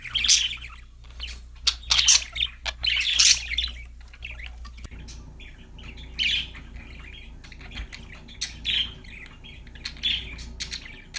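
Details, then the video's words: Happy budgies singing: dense, rapid squawky chirps and warbles early, then softer spaced chirps, with a low background hum throughout. "budgies chirping sound"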